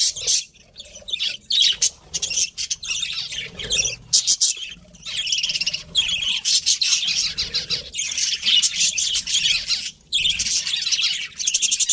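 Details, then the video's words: Pet budgerigars, a breeding pair, chirping and warbling in long dense runs of rapid, rasping high notes, separated by brief silences. "cute budgies chirping sounds"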